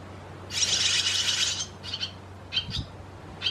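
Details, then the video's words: Barn swallow in Croatia: a dense burst of high twittering chatter lasting about a second, followed by several short sharp chirps, over a low steady background hum. "Lastavice , Hirundo rustica , Swallow"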